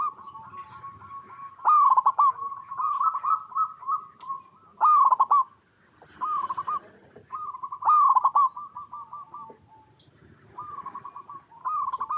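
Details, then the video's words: Zebra dove coo recorded as a lure for other zebra doves: loud phrases of a rising note and stuttered trills come every three seconds or so, alternating with softer rolling coo sequences from more than one dove. "Perkutut Lokal Gacor Suara Paling DiCari Untuk Pancingan Semua Burung Perkutut Agar Bunyi"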